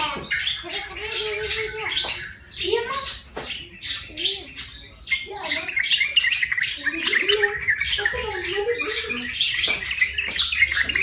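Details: Yellow-vented bulbul, formerly wild, cared for one month and now singing: continuous chattering song of clipped chirps mixed with lower bubbling, wavering phrases.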